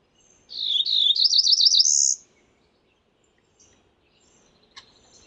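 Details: Cerulean warbler calling: one high, buzzy phrase that opens with slurred notes, climbs through a quick series of rapid wavering notes, and ends in a higher dry buzz lasting under two seconds, followed by quiet with a faint distant chip.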